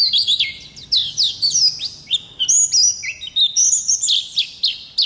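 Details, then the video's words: Oriental white-eye (pleci ngalas) in lively ngerol song from a masteran recording: bright, high slurred whistles and quick descending sweeps in short bursts that run into each other, some notes climbing higher toward the end. "Pleci Ngalas Gacor Ngerol Durasi Panjang"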